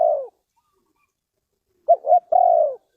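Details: Spotted dove from Ninh Thuận, Vietnam, recorded around bird trapping: one low mellow coo, a pause, then two short coos running into a long, drawn-out, slightly hoarse coo. The background is quiet.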